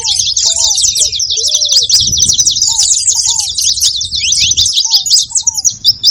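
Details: Saffron finches calling: a dense, continuous chatter of high, quick chirps overlapping throughout, with a few lower slurred whistled notes in the first half.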